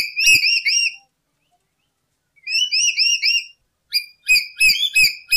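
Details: Lory sounds meant to lure birds for trapping: quick strings of looping whistled notes in three bursts, the last phrase choppier and more staccato, with faint clicks underneath.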